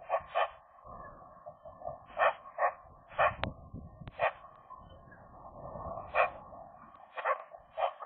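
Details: Eurasian magpies, a young pair flirting inside their nest in January, the female new to the territory; short harmonic nasal notes in irregular pairs over a steady low murmuring warble, with two sharp clicks midway.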